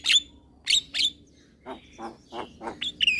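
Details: Young Javan myna in lively song with nodding head: three sharp squeaky notes, a pause, then softer lower gurgling notes and a closing high whistled slur.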